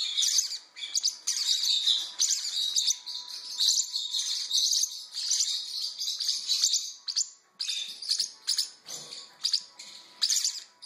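Parrotlet chicks keep up a dense, high chattering of squeaky, buzzy chirps in rapid bursts, with a faint steady hum in the background.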